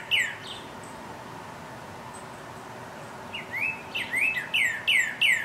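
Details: Northern cardinal singing in spring to attract a mate: clear, down-slurred whistles, one early note, then a quickening run of about seven loud slurs, over a soft steady background hiss.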